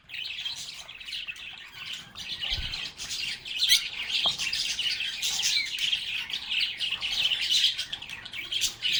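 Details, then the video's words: A busy chorus of lovebirds keeps up a constant wash of high twittering and squeaky chirps, fairly even in loudness, with one brief low thump. "Lovebirds agapornis sounds | Relaxing Sounds of Singing, Playing, and Talking Parakeets"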